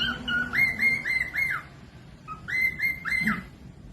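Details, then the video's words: Cockatiel, a pet parrot, singing. The recording is used to train lazy or young birds to sing. It gives two bursts of clear whistled notes, each rising and then held, repeated about four times a second with a short pause between bursts. "Cocok buat pemasteran falk yang malas bunyi langsung nyaut pemasteran cockatiels cute parrot"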